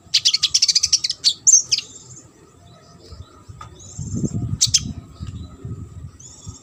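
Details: High, rapid trill of an olive-backed sunbird, recorded to train competition birds, followed by a few sharp slurred notes, a long quiet stretch with a faint thin buzz, and low rumbling noise.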